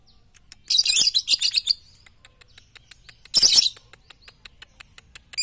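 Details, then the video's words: Lovebird in a training recording for morning, noon and night: a long run of rough, buzzy chirps, then a second loud harsh burst, over a steady series of faint rapid ticking clicks. "masteran Lovebird pagi siang dan malam paling cocok"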